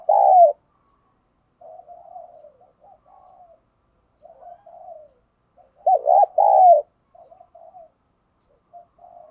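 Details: Spotted dove kept as a decoy, calling to lure and stir up wild doves: strong, husky coo at the start, quieter mumbled notes, then a loud double-and-triple coo phrase about two-thirds through.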